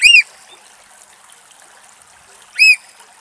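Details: Eurasian oystercatcher, mud-billed, in vegetation at Axios Delta National Park, Thessaloniki, Greece, gives two loud, shrill piping alarm notes about two and a half seconds apart, with a soft trickle of water beneath.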